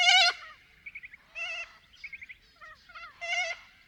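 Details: Little corella in Paroo-Darling National Park, outback New South Wales, Australia: a loud, harsh opening screech, then a string of shorter wavering, bleat-like calls, some in quick stuttering bursts, over about four seconds.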